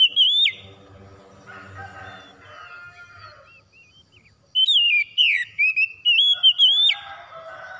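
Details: Oriental magpie-robin, called kacer, singing in therapy audio for stressed birds after dawn: a short whistle, a stretch of quiet buzzy background, then an energetic run of wavering whistled notes.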